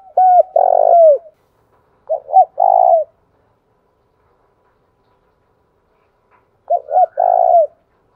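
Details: Spotted dove cooing to provoke rival males, in Dong Nai, Vietnam: low hollow coos in short groups of two or three notes, the last one drawn out, repeated after pauses of a few seconds.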